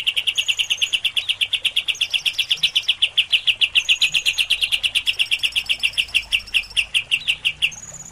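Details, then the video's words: Greater green leafbird in fast, steady chattering song, about seven sharp notes a second, mixed with thin high trills from another bird. "Tembakan Dasyat kapas tembak VS cucak ijo prestasian"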